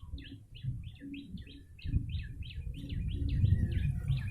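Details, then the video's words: Yellow-bellied prinia calls for luring birds: a string of thin, high chirping notes, about four per second, clear above steady low background rumble that grows slightly louder midway. "Pikat burung prenjak lumut"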